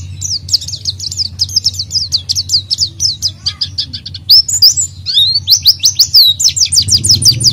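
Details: Lively oriental white-eye song serving as a lure for an untrained bird: long strings of quick, high, falling chirps, about three per second, broken by a brief twittering flourish, with a low background hum.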